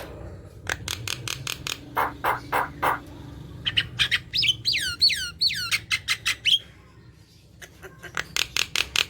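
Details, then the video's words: Javan myna in constant chattering song, used to prompt lazy mynas into singing: rapid harsh broadband clicks and rasps, then a run of looping descending whistled notes and more dry chatter toward the end. "Jalak kebo gacor | pancingan jalak kebo malas bunyi"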